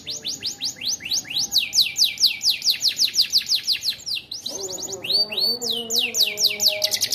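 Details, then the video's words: Kenari canary song containing an isian, a learned fill copied from the ciblek. Loud upward-sweeping whistled notes come in rapid series, several per second, then switch to quicker doubled sweeps, with steady low tones underneath in the second half. "BURUNG KENARI AF ADA ISIAN CIBLEKNYA MANTAP"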